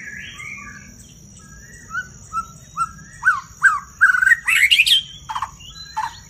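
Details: Caged white-rumped shama singing loudly with many voices: soft whistled phrases build into a run of rising and falling notes, climaxing in a dense burst of rich, ringing whistles and chatter, over a constant high-pitched hum.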